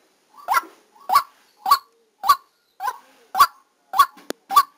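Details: Harsh repeated honks from a white-breasted waterhen kept as a decoy and recorded live while trapping, eight loud nasal notes in five seconds at an even pace, with a sharp click heard near the end.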